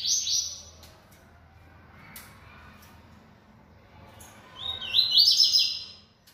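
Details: Caged Yellow-bellied Seedeater, described as bold and singing a lot. A short high whistled note opens the recording. A quiet gap with faint clicks and low hum follows, then a rapid high trilled phrase of repeated looping notes.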